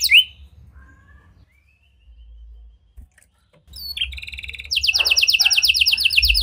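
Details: Domestic canary singing in a lively gacor style with unique cengkok, used as a lure to prompt silent canaries; near-silence at first, then a short buzzy note and a rapid, high, evenly repeated trill of sharp notes in the final seconds.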